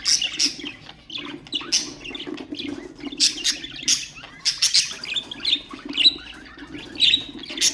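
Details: Pet budgerigars singing to stimulate other birds: busy warbling chatter with sharp high chirps and harsh squawks in uneven bursts, a low steady hum underneath.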